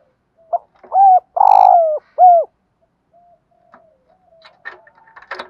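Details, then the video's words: Spotted dove calling at dawn as a lure for wild doves, giving one strong phrase: a brief coo, a long rough central note, then a falling coo, followed by quiet clicks and rustling. "tieng chim cu mồi gáy gọi bổi buổi sáng/ tiếng chim cu gáy kích bổi nhanh nổi hiệu quả"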